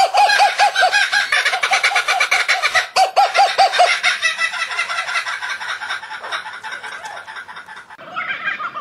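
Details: Kookaburra song likened to human laughter: loud, fast, rhythmic hooting notes, about two per second, build into an excited rolling cackle, break off briefly, resume, then trail into rougher chuckles.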